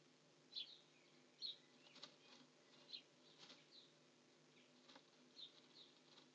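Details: Several house sparrows sit together in the nest, giving short, sharp high chirps at irregular intervals, mixed with quiet rustling and fluttering sounds of movement.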